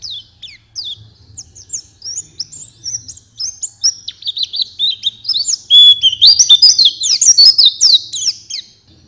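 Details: Oriental white-eye song for training captive songbirds, starting softly with scattered high chirps and growing into loud, fast, slurred twittering in the second half, over a faint low hum.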